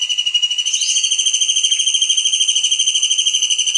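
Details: Kingfisher in a training recording for songbirds, giving a long, unbroken, rapid high trill of steadily pulsed whistled notes with a bright, ringing quality, holding nearly level throughout.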